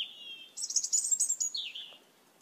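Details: Asian glossy starling, one of many raiding papaya plants in a yard, giving a thin whistled note, then a quick run of high, sharp chirps and a falling squeaky whistle, with faint background hiss.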